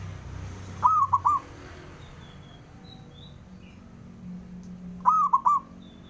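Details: A local male zebra dove calls to stir rivals into replying, giving two soft, mellow three-note cooing phrases about four seconds apart, with faint high chirps of other birds.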